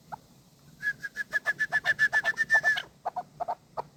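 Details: Hunting chukar partridge: a few low clucks, then a rapid run of about fourteen bright, even chuk notes that swell in loudness over two seconds, followed by scattered lower, husky chuck notes.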